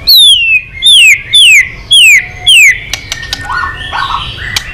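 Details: White-rumped shama in fighting song, giving five loud, sweeping whistles that drop steeply in pitch, evenly spaced, then sharp clicks and softer burbling notes.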